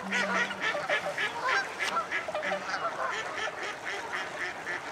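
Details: Many common starlings preparing to roost at Slimbridge Wildfowl Trust in Gloucestershire, UK, making a busy, crackling chatter of rapid clicks and short whistles, with honking wildfowl and a low steady hum underneath.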